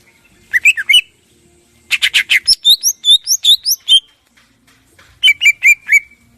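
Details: Morning song of a greater green leafbird (cucak ijo), used as a lure to make other birds sing; quick trilled bursts, a run of high sweeping whistles, then a repeated chattering phrase after a pause.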